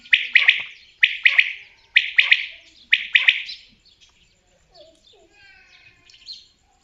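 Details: Common quail calling: four loud, sharp three-note phrases, one about every second, followed by faint, scattered softer sounds.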